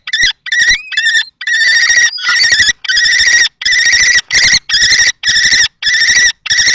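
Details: At a nest box in Théding, France, on 20 March 2024, two male common kestrels fight. A few thin rising whines open, then longer, drawn-out screeching notes repeat with short gaps.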